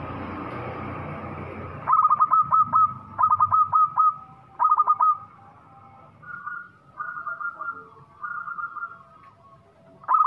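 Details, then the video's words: Local zebra dove (perkutut lokal) singing steadily with a big voice: repeated bursts of rapid, bubbling coo notes, four to six per phrase, separated by short pauses, then softer drawn-out coos. "PERKUTUT LOKAL GACOR SUARA BESAR LANGSUNG GACOR TANPA LAMA LAMA"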